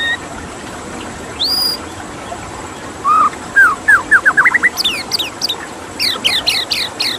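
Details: White-rumped shama over running water: a rapid series of rising whistled notes, followed by a fast run of sharp high downslurred notes.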